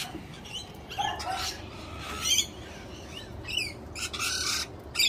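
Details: Several Galahs (pink cockatoos), quite a few visiting and not at all shy, give harsh, screechy squawks in short overlapping bursts, a few each second, over a steady hiss of background noise.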